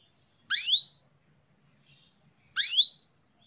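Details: Female canary calling to stimulate a male to breed: two loud, bright calls, each a steep downward sweep with a buzzy edge, about two seconds apart over a near-silent background.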